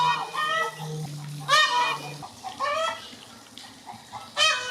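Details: Peacock giving loud, nasal, wailing calls rich in harmonics, several rising cries in quick succession across under five seconds, with a low steady hum in the first half.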